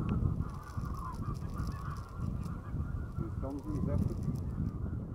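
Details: Common cranes migrating en masse above Strabrechtse heide, 5 March 2013; many birds give overlapping rolling trumpet calls, a few closer notes standing out near the end, with strong wind rumble throughout.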